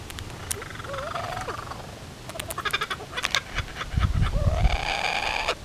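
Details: A Laughing Kookaburra on rural mountain land in Australia gives a raucous cackle of rising hoots and rapid chuckling bursts, swelling toward the end, over low wind; a territorial call warning other birds to stay away.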